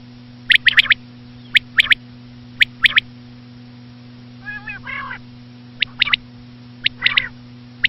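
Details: Common quail, described as a female, used as a hunting lure: sharp three-note bursts repeated about once a second, with a short run of soft nasal notes in the middle, over a steady low electrical hum.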